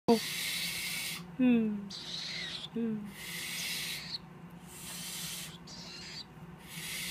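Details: Three captive-bred tropical screech owlets, hatched on 6 and 7 March 2014, give harsh broadband hisses lasting about a second each, several in a row, with a few short descending squeaky notes at the start.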